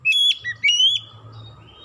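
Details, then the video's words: Oriental magpie-robin song as a lure to coax birds into singing: two bright whistled phrases, the second a long rising slur, followed by quiet with a low hum. "PANCINGAN KACER LANGSUNG GACOR NGEPLONG NGOTOT"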